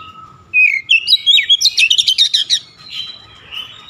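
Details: An oriental magpie-robin performing its aggressive shooting song: a rising whistle, then a fast string of about ten sharp, loud, buzzy notes in under two seconds, ending in softer whistles.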